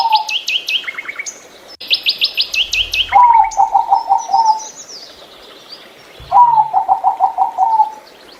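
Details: Zebra dove, a small gray bird kept for its beautiful voice, gives two rolling series of about seven quick coos. They follow bursts of sharp, high, repeated chirps from another bird, with soft low thumps in the background.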